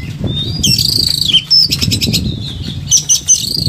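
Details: Agitated caged Oriental magpie-robin delivering loud harsh buzzy bursts and piercing whistles, with rapid ticking phrases and a constant low hum underneath; a recording meant for training lazy birds to sing.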